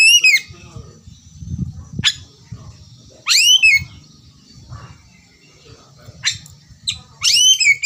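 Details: Oriental magpie-robin phrases for a 'ngerewek' lure: brief, sharply falling whistled sweeps and chirps scattered every second or two over a steady low rumbling murmur.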